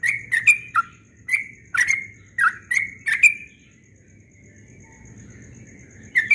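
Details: Dawn ropel song of a yellow-vented bulbul: a quick run of clear chirpy notes with a few lower dipping notes, then about two seconds of quiet before singing resumes, against a thin steady high whine.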